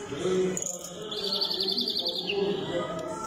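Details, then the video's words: European greenfinch giving a quick, even trill of bright, mid-high notes lasting about a second, over a low background murmur that may include distant voices. "Greenfinch Song"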